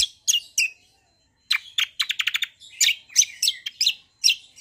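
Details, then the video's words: A greater green leafbird delivers a combination song copying the kecial, intended to make kecials respond immediately. Sharp high chirps open, then after a pause comes a quick stuttering series of bright notes and twittering phrases. "CUCAK KOMBO KECIAL KOMBO ROLL PANJANG GACORR||KECIAL KOMBO MANAPUN LANGSUNG NYAUT"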